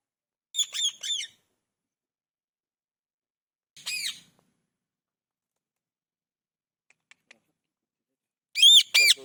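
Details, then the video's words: Natural parrot calling: three separate bursts of short, raspy, chattering squawks spaced several seconds apart, the last burst loudest, with quiet pauses between. "Amazing Parrot Natural Calling Sounds"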